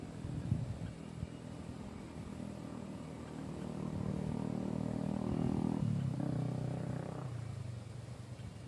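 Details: Low rumbling traffic noise with a motor that swells and revs in the middle, and no animal call heard.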